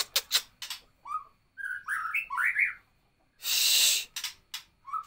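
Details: White-rumped shama singing in the 'nembak kapas tembak' style: clicks, then short rising whistled notes climbing in pitch, broken by a loud hissing burst of noise and a final low whistle.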